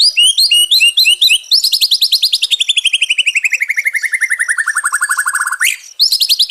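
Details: White-rumped shama song played as therapy for a stressed bird: quick high notes, then a long rapid trill sliding gradually downward in pitch over four seconds, ending in a sharp upward sweep and more high notes.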